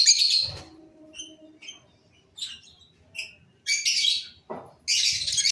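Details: Cobalt masked lovebirds with a loud harsh burst, a few thin, high squeaky notes, then renewed loud, raspy chattering bouts.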